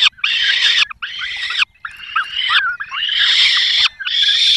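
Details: Peregrine falcon nest, Barycz Valley, 5 May 2022, during a prey delivery by the male and feeding of chicks by the female; harsh, screechy, drawn-out calls in five loud bursts separated by short silences.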